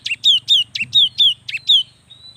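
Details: Cinereous tit, a young bird singing to stimulate lazy birds: six or seven rapid phrases of a short high note followed by a descending clear whistle, ending with a faint thin trailing tone.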